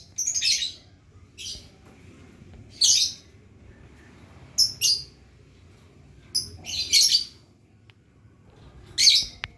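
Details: Lovebird learning ngekek, the long trill, giving harsh, high, buzzy chirp bursts, some doubled, spaced irregularly about every one to two seconds over a faint low background hum.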